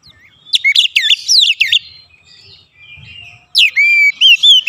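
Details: Oriental magpie-robin kept at home, singing vigorously: a run of quick looping, sweeping notes, a brief quiet gap, then clear drawn-out whistles with rising inflections.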